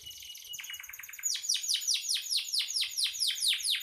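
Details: Energetic canary performing, recorded for training songbirds: a thin buzzy opening, then a steady series of loud repeated descending notes, about three per second.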